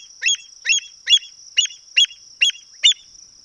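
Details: Western avocet calling: seven sharp, ringing, high-pitched yelping notes, each with a quick downward inflection, given about every 0.4 seconds over a steady high background whine.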